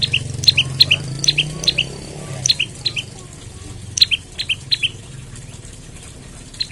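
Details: Olive-backed tailorbird in the morning, a lure call meant to start other tailorbirds singing: rapid paired chirps, a high sharp note dropping to a lower one, repeated about three times a second with brief pauses.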